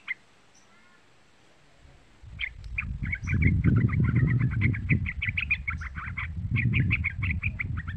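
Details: Young trucukan, the yellow-vented bulbul, used as a lure so trucuk birds answer: after a near-silent start, rapid chirpy chattering runs on continuously beneath a loud low rumble of background noise.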